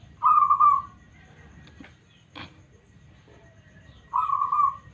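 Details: Local zebra dove giving a smooth, responsive lure song: two short bubbling coo bursts about four seconds apart, with a few faint clicks and knocks in between.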